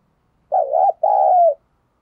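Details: Coaxing coo of a spotted dove, used as a lure for wild birds: a warbling first note, a short break, then a drawn-out mellow note that eases downward. No other sounds.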